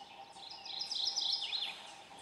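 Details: At first light in dim eastern hardwood forest of Argonne Experimental Forest, northern Wisconsin, a Mourning warbler gives a quick rich warbled phrase of rolling mid-high notes that swell and fade, over a steady low hum; captured with a Nikon D7000 via fieldscope.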